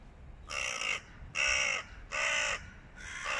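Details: Harsh, raspy caws from Hooded crows battling a stray cat, four drawn-out calls of about half a second each, repeated roughly every 0.8 seconds, loud and close.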